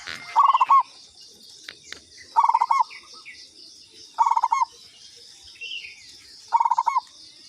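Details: Zebra dove, local perkutut, lure call: four stammering cooing phrases spaced about two seconds apart, each closing on a drawn-out coo, with faint chirps from other small birds and a steady high hum.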